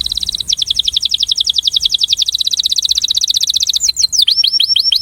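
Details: Breeding male canary singing for attraction: a steady rapid trill of bright chips for nearly four seconds, then a few separate rising whistled notes.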